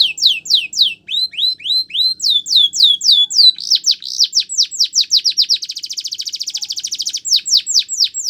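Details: Canary delivering training song, with long series of sharp descending whistled notes, quickening into a dense rapid trill before returning to separate swept notes.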